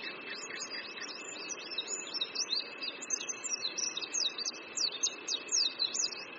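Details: Oriental white-eye on a branch above a creek in Qingdao, Shandong, China, pouring out a dense, unbroken stream of very high chattering notes that grows louder toward the end, with soft background noise and a faint steady tone.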